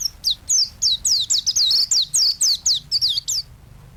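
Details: White-eye singing vigorously, a master recording used to train other songbirds: a fast run of high, thin, sharply descending chirps, about four each second, with no other sounds.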